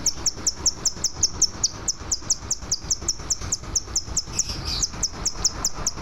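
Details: Scarlet minivet in energetic song, meant as a tutor recording for training other birds: a steady, rapid series of sharp, high-pitched notes, about five per second, sustained throughout over a low rumbling background.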